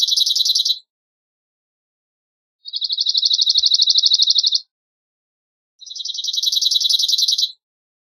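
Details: Cirl bunting singing: three dry, high rattling trills of rapidly repeated identical notes on one pitch, each lasting about two seconds, separated by silent gaps.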